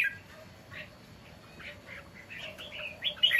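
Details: Loud song of a caged red-whiskered bulbul, recorded 10 August 2023: quick chirpy phrases ending in a sharp, shrill flourish.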